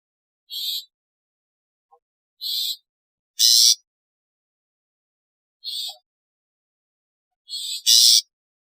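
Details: Long-tailed shrike giving harsh, noisy rasping calls in short separate bursts, roughly five spread over eight seconds, some doubled, with silence between and no other sounds.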